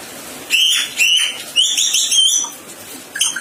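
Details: Sulawesi myna uttering a series of bright, ringing harmonic notes, each rising briefly then falling, followed by a longer warbled phrase and a few soft chips at the end.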